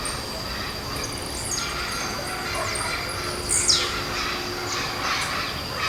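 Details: Blue-black grassquit in a forest, singing while hopping about: one clear, sharp descending buzzy note near the middle, with fainter sweeping notes around it and a constant high whine behind.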